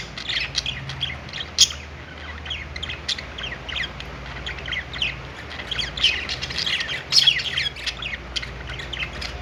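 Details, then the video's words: Several budgerigars chirp on a perch in a pet store, giving a busy stream of thin, high tweets and rasping squawks, with louder bursts near one and a half and seven seconds and a faint low background drone. "budgies singing on perch | parakeet chirping sounds in pet store"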